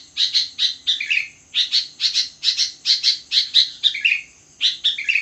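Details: Sooty-headed bulbul singing at midnight, its rhythmic chattering chirps coming in pairs and triplets. Some phrases end in a lower, slurred note, repeated at a quick steady pace over a faint high-pitched background tone.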